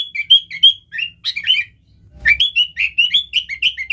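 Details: Sooty-headed bulbul song used for luring wild bulbuls: bright chirped and whistled notes at first, a brief gap, then a lively rapid run of repeated bubbly notes.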